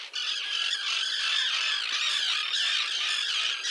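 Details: Small Common tern colony with chicks near a mole at sea off Liepāja, Latvia, June 2024. A dense, unbroken wash of high, scratchy calls from many birds blends into a steady din.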